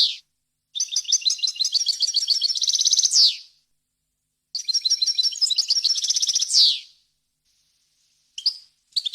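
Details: Error-free European goldfinch song in wild language, played to teach chicks and hybrid birds: two extended rippling trills that speed into a dense buzz and drop away at the end, followed by brief twittering fragments.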